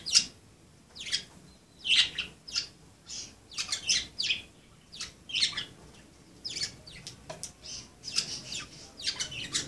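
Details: Budgerigars playing keep up a lively, continuous chatter of high raspy chirps and warbled squawks, several notes each second with brief gaps.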